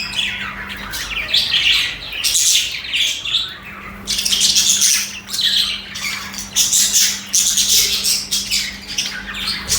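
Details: Budgies (parakeets) singing and chattering almost nonstop: dense, raspy, warbled high chirps and squeaky notes in overlapping bursts with brief gaps. A faint steady low hum runs behind them.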